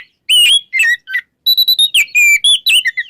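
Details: Ngeplong-style morning song of an oriental magpie-robin, played to prompt magpie-robins that have stopped singing: a dense, chattering run of short, bright, varied whistles.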